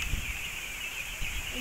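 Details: A large crowd of ducks in Victoria, Laguna, Philippines: a dense, continuous harsh chorus of overlapping calls, with louder low bursts near the start and again after one second, and faint human voices mixed in.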